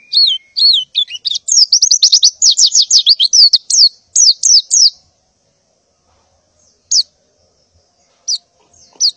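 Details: A female white-eye in breeding condition gives a burst of high, rapid down-slurred chirps in the morning to call males, then falls quiet with only three single chirps spaced apart.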